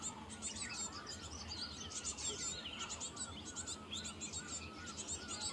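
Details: Cinereous tit in Himachal Pradesh while feeding its young; a busy run of high, sharp chirps and short trills, closely spaced, over softer lower whistles and a steady faint hum.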